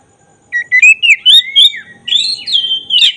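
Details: Black-breasted oriental magpie-robin singing actively, a lure song meant to stir emotion and tail spreading; clear rising and falling whistled phrases, bright and varied, with quick slurred notes and a sharp closing flourish.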